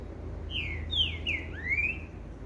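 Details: Green-winged Saltator (Saltator similis) on 15 July singing a short phrase of four rich, slurred whistles, falling then rising, over a low steady hum.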